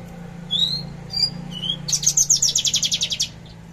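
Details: Trotol song of a caged Javan bush lark, 13 December 2022 at 10 a.m.: three separate rising whistled notes, followed by a rapid rattling series of about fifteen sharp high pulses, then quiet.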